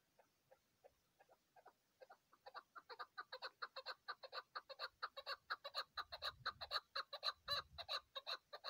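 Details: A chukar partridge on a mountain, recorded during hunting, gives harsh clucking chuck notes that start sparse, then speed up and grow louder into a rapid series of about two per second, with a few low thumps.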